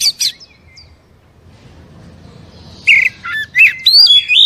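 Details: Oriental magpie-robin, a captive bird's stimulating song: a short burst of rich whistled notes, a quiet pause, then a lively run of varied slurred whistles and trills.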